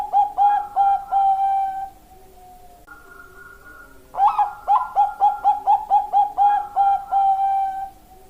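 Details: Bangkok-type zebra dove song in two bursts: a run of short, evenly spaced coos, a pause with a faint sustained tone, then a higher opening note and about a dozen rapid clipped coos ending in longer drawn notes.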